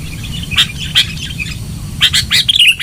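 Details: Sooty-headed bulbul song played as a lure: a few sharp chirps spaced apart, then a denser cluster of bright, descending warbled notes at the end.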